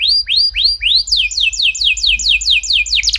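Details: Canary singing as a prompt for other canaries: a few slower rising whistles, then a fast series of repeated downward-sweeping notes about five a second, closing with a brief trill.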